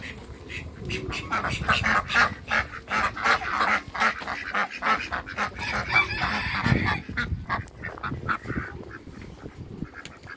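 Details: Pekin ducks, two males and one female, at a waterbird farm in Greece; harsh nasal quacks and honking calls repeated in irregular bursts over about ten seconds, with low rumbling background noise.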